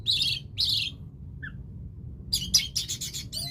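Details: Orange-headed thrush, teler-style singing: two harsh, buzzy high bursts, a pause with one faint soft note, then a rapid tumbling sequence of scratchy chirps and a closing rising whistle.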